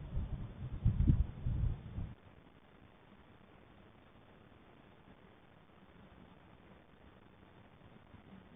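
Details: A short burst of low rumbling thumps, then steady faint hiss for the rest, and no animal voice.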